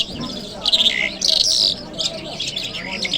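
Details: Kabul lark on a Friday morning giving short bursts of high scratchy chirps and a descending whistled note, separated by brief gaps.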